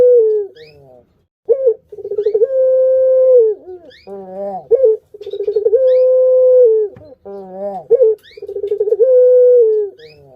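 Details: Barbary dove, kept as a pet bird, giving a lure call meant to stimulate other birds: three repeated phrases, each a short note, a fast rolling burst of pulses, then a long steady low coo that falls off at the end.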